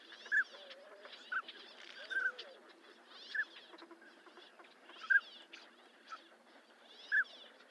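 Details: Northern pintail uttering single short whistles spaced about a second or two apart, with softer bird twittering and some faint lower calls in the background.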